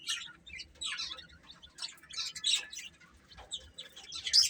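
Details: Baby chicks eating and calling: separate high, clipped peeps come in loose bursts about every second, some sliding downward, with quiet gaps between them.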